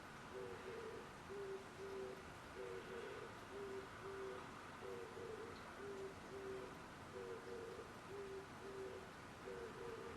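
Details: Pigeon calling, recorded on 17 April 2021. Low, soft hooting coos come in short phrases of a few notes, repeated about every two and a half seconds over a steady background hiss.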